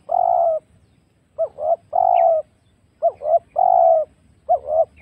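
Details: Wild spotted dove recorded as a trapping lure: a quick stutter of short coos followed by a long, drawn-out hoarse coo, phrases running close together, with a faint low rumble underneath.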